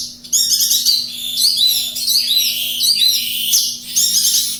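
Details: Javan bush lark in vigorous song, Kediri: continuous high scratchy warbling phrases with rapid twittered notes and short buzzy trills, barely pausing; low steady hum in the background.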